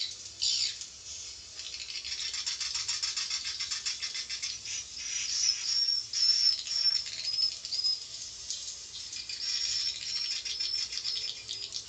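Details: Javan swiftlet calls used as playback to draw swiftlets in: a long, continuous high rattling chatter with rapid clicks and buzzy twitters, pulsing unevenly.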